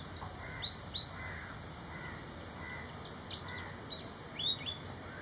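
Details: Malaysian pied fantail singing: short, high, sharp whistled notes, some rising and some dropping, scattered in small groups over about five seconds, with a faint lower rustling hum behind.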